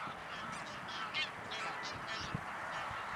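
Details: Greylag geese give harsh, nasal honks in a loose, overlapping series, with a steady background hiss throughout, in Anna Paulowna, Netherlands, on 9 April 2011.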